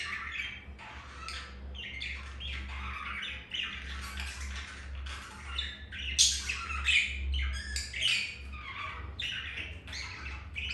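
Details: Pet budgerigars during mating, a green male mounting a female after a white-grey female rejected him; dense scratchy chattering and squawky warbles, irregular bursts about every second, over a steady low indoor hum.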